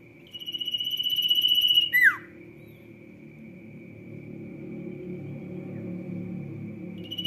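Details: Energetic Sirtu song: a rapid high trill of pulses building in strength for about a second and a half, ending in a steep falling slur, followed by quiet with a low background hum and another trill starting.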